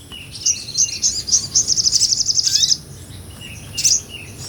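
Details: Small nectar-eating sunbird (sogon) singing ngobra-style as tutor material for songbirds: a few high chirps accelerating into a long rapid rattling trill of closely repeated notes, followed by a lone sharp chip.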